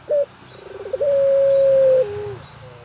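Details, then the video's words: Rural barbary dove lure recording: a short clipped note, a rapid purring roll, then one long level coo sliding lower at the end, over a hissing, noisy background. "BURUNG PUTER GACOR SAMPAI MEREM MELEK | PANCINGAN PUTER GACOR"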